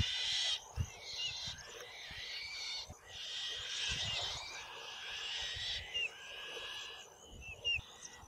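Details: Black-shouldered kite (Elanus axillaris) fledglings squabbling over a mouse at the family perch tree with an adult present give harsh, hissing screeches almost without pause, broken by short sharp whistled chirps, over faint thumps and rustling.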